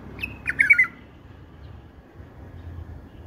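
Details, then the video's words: A bulbul delivers a bubbly phrase in a song style cherished by keepers. One short burst of rippling notes is followed by near quiet with a low background rumble. "هاي أللغه يعشقه كل مربين البلابل"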